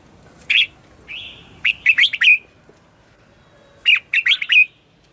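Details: Red-whiskered bulbul singing in the morning as a lure to draw wild birds: two lively phrases of rapid, bouncy whistled notes ending in a longer clear tone, preceded by a single chirp and a short level whistle.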